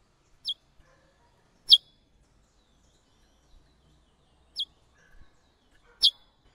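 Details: Chestnut-bellied seed finch female (curió) giving four short, sharp, downward-sliding chirps, spaced a second or more apart, in a quiet setting.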